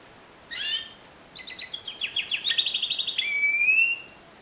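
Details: High chirp, pause, then a Timbrado canary's discontinuous song builds into quick repeated pulsed notes and ends on a long, smooth, slightly rising whistle.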